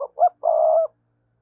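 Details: Short spotted dove lure call for wild doves: two clipped soft coos followed by one long, level, mellow note, with nothing else audible.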